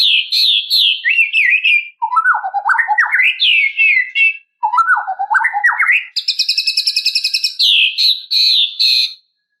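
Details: White-rumped shama singing to provoke a rival, a long varied run of rich whistled phrases that swoop low then climb, ending in a rapid rattling trill and sharp repeated high notes.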